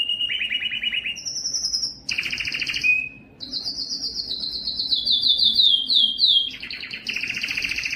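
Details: Yellow canary in full song, a low rolling trill giving way to higher whistled tours, a short sharp note, then a long fast descending series of chirped trills and a return to a low rattle.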